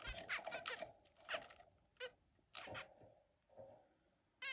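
Zebra finch giving short, nasal, toy-trumpet calls among crunchy, rustling background noise.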